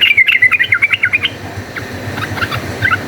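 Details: Yellow-vented bulbul in chatty, rapid fighting song, played as a lure: a fast burst of about a dozen bright, warbling notes in just over a second, then a few spaced single notes over soft low noise.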